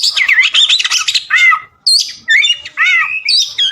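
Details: Kacer, the oriental magpie-robin, sings energetically: dense, rapid mix of rising and falling whistles, harsh scratchy notes and slurred chirps in quick bursts with brief gaps, a song meant as filler material for training other songbirds.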